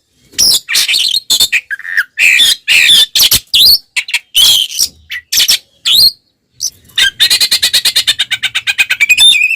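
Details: Oriental magpie-robin singing aggressively to provoke other birds: harsh scratchy bursts and squawks at first, then a fast, steady run of repeated clicking notes that ends in a whistle.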